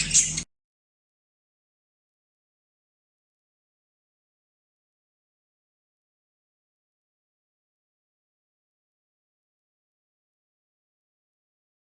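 A brief burst of broadband noise is followed by silence, with no animal sound.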